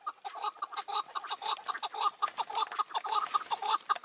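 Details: Chukar partridges recorded in May 2024 during decoy trapping, with a wild, cunning old bird keeping away from the caged decoy. Repeated clucking chuck notes come in a steady, accelerating series of about two per second.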